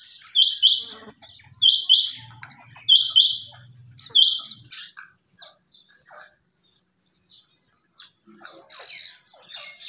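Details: Quail calling: four loud, harsh, buzzy bursts repeated about every 1.3 seconds, then fainter scattered chirps from other birds.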